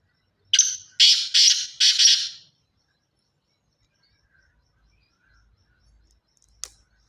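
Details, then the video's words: Black francolin of pure Sindhi lineage giving one rasping call of four hoarse, scratchy notes within two seconds, then near silence with a single brief tick at the end. "pure Sindhi Kale teetar Ki Awaaz"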